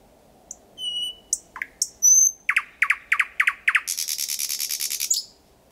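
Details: A thrush nightingale sings at night (01:23) on 8 May 2020 in Kiili parish, Estonia, about 4–5 m away: a few pure high whistles, then six loud clicking notes and a fast, dry rattling trill.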